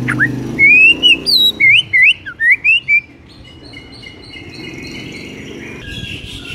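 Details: White-rumped shama singing in the morning: a run of loud clear whistles rising and falling in quick wavy phrases for three seconds, then fading into faint high thin notes and background hiss.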